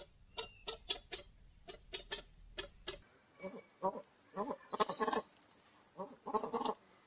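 A peacock gives a run of short, sharp, nasal calls, then louder wailing, bleat-like cries in quick bursts over about seven seconds.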